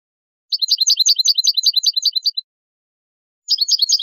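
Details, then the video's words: European goldfinch giving basic song phrases with tabletas, rapid rattling series of bright, high twittering notes, about three per second, in a long burst, a pause, then another burst, with no other sounds. "CANTOS BASICOS DEL JILGUERO ** TABLETEOS"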